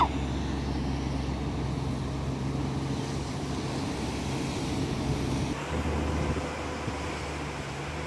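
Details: Continuous low rumble of passing traffic mixed with wind and surf, and no animal calls.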